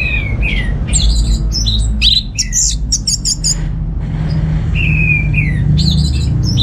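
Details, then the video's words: Orange-headed thrush, a cage bird kept at home in North Bali, delivers a rapid jumble of high chattering, clicky notes with descending whistles at the start and end, against a constant low-pitched background rumble. "Suara ANIS MERAH Berkicau"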